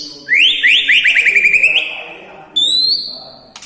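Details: White-rumped shama whose song is packed with mimicked lovebird, kapas tembak and cucak jenggot phrases: a fast series of rising, ringing notes climbs for over a second, then a pause and one long, high, thin whistle.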